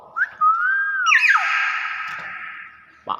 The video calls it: BURUNG BEO GACOR SUARA ASLI